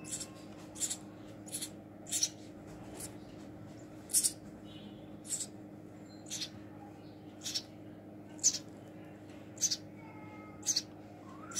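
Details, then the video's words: Hand-fed baby house sparrow inside a room, repeating brief piercing high-pitched cheeps roughly once a second in a steady series, over a low constant background hum. "Hand Feeding baby House Sparrow"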